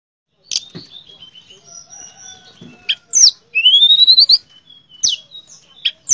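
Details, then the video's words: Tledekan pring shortwing singing in a bursting, rolling style: sharp chip notes between sweet whistles, then a long rising whistled glide followed by fast repeated notes, with short silent gaps. "Terapi BURUNG TLEDEKAN PRING gacor nembak dan ngerol"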